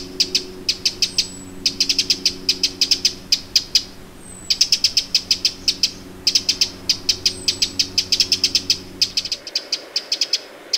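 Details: Eurasian wren calling in alarm beside Lake Vänern in Sweden, end of July 2017: dense bursts of dry ticks, faint descending whistles from another bird, background hum fading near the end.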